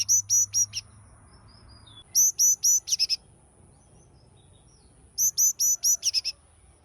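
A Yellow-cheeked tit gives three quick bursts of five or six high, bright notes, repeated about every two and a half seconds, over a thin steady high whine.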